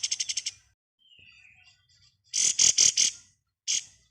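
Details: Pied triller, called kapas tembak, in rapid ngebren style for tutoring other songbirds: a quick burst of five high notes, a faint thin whistle, then a second buzzy trill of about five pulses and one more sharp note.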